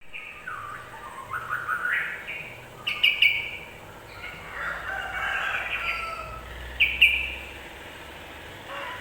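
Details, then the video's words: Yellow-vented bulbul sound used as a lure to make other birds quickly agitated: scattered bright, chattering warbled phrases with short high whistles, separated by pauses over a faint steady background hiss. "Suara pancingan burung trucukan agar cepat emosi"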